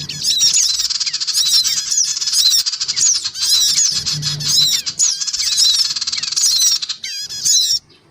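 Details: Male and female black-winged cuckooshrikes with young, a lure to pull in small birds: steady rasping chatter punctuated by repeated clusters of thin, downslurred squeals, ending abruptly.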